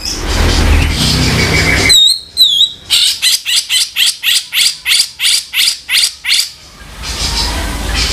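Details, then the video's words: Harsh 'kasaran' tutor song of a grey-cheeked bulbul: two sharp whistled slurs, then a run of about fifteen loud, buzzy chattering notes, with rushing noise before and after. "guru vokal sepesial suara kasaran cucak jenggot"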